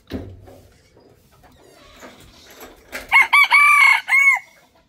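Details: Rooster crowing: after quiet rustling and faint background sounds, a loud, raspy crow breaks in with several connected harsh phrases ending in a drawn-out note.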